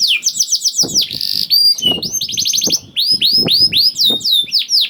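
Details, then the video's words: Young canary in full song, used to encourage other canaries to sing. Fast trilled phrases, a brief buzzy burst, then ringing downslurred whistles, with dull knocking thumps in the background. "PANCINGAN KENARI PAUD TERBUKTI AMPUH MEMANCING KENARI SUSAH BUNYI IKUT GACOR"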